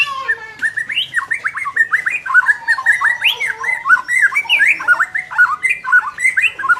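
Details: White-rumped shama song played to make a less aggressive bird more competitive: a rapid, continuous run of varied whistled and chattering notes, sliding up and down in pitch with scattered high squeaks.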